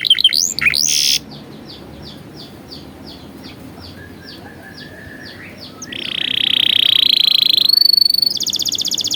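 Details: Canary song meant as a lure and tutor for young canaries: rapid slurred notes fade into a soft run of down-slurred chips, then a buzzy roll and a thin, level, high whistle with a trill.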